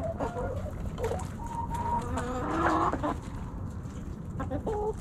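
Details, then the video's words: Backyard chickens snacking at Thanksgiving: hens cluck in short bursts, with a few drawn-out, slightly whiny tonal notes midway and quick clucks near the end, over constant low background rumble. "Backyard Chickens Thanksgiving Snacking Sounds Noises Hens Clucking Roosters Crowing!"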